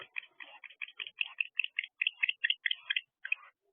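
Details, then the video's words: Two barn owls interacting at an owl box at 12:29 am on 2 December 2023. A fast run of short, chittering notes is repeated more than a dozen times in about three seconds, then breaks off, with no other sounds. "Interesting Interaction Between Two Barn Owls."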